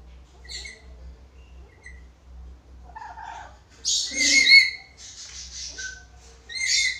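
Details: Black-capped lory in full voice, recorded as a master recording for teaching other birds: scattered harmonic chirps, then a loud burst of harsh, layered squawks, a short noisy pause, and a final strong squawk, over a low electrical hum.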